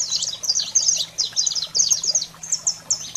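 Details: Saffron finch, 'fogo selvagem' song for rousing pet canaries: rapid strings of piercing high chirps, slightly slowing toward the end, with a faint steady low hum.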